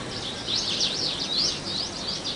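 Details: House bunting giving a quick series of high, looping whistled and chirping notes, rising and falling, over a steady background hiss.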